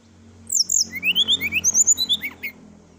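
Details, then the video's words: Sooty-headed bulbul in full, varied song recorded as a night-time tutor track for training birds: a rapid run of about thirteen sharp, chirpy notes, some rising and some falling, delivered in quick succession with a faint low hum behind. "srdc gacor full isian ,masteran srdc malam hari dan terapi srdc"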